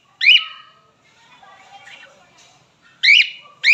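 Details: Male pet cockatiel: sharp rising whistles open and close, with soft warbling chatter between them.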